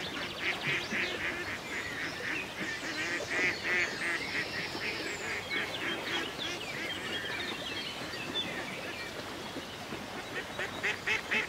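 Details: Ducks by a calm country lake: a busy flock quacking in overlapping bursts, densest early and near the end, over a constant soft wash of background sound.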